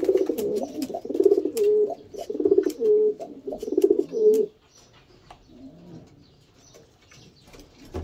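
A homing pigeon gives low, throaty rolling coos in quick repeated bursts for about four seconds, then falls quiet with faint background noise.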